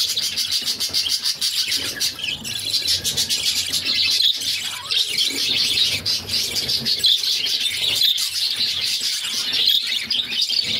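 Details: A brood of six budgerigar chicks begging during a feed from their mother; long stretch of scratchy, rattling squeaks, rapid and dense, barely pausing throughout.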